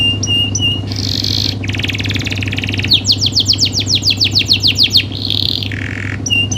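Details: Canary song meant for training and triggering other canaries: short whistles and buzzy rolls give way to a fast series of about ten sharply falling slurred notes, then more buzzy trills, over a low mechanical hum.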